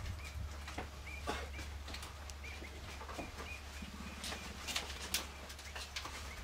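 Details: Swallows around the hides of Cley Marshes Nature Reserve in Norfolk, July 2011, where a pair was nesting; thin chirping notes scattered through the recording, mixed with clicks, knocks and rustling close by.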